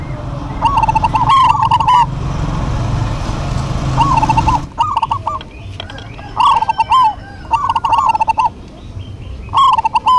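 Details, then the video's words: Local zebra doves singing in duet, vigorous and lively: short trilled coos near the same pitch, stuttering then rolling, come in overlapping bursts, with a low rumbling background early on. "DUET PERKUTUT LOKAL GACOR PALING RAME PASTI SEMUA NYAUT"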